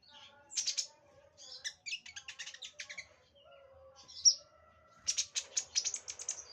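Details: Sunbird song in short high bursts: quick chirped phrases and fast trills separated by brief pauses, one sharp whistled note near the end, then a dense closing burst of twittering.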